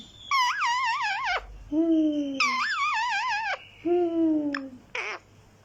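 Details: Green talking parrot repeating loud wobbling, warbling calls that end in long descending moans, about three cycles, with a short sharp squawk at the close.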